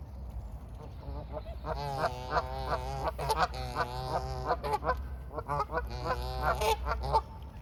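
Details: At the water's edge during feeding, mute swans give a dense, hurried run of nasal, trumpeting notes that rises and falls in intensity against a low, rumbling background.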